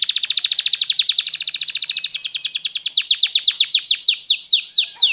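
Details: Canary of the Belgian type in song, played for canaries to learn from: one dense fast trill of clipped notes that gradually slows into wider, separate downward-sweeping whistles.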